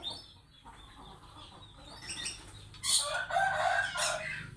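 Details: Sulphur-crested cockatoo of the triton subspecies gives a loud, harsh, raspy screech that starts suddenly after a quiet, noisy opening and carries on for nearly two seconds in rough, broad bursts.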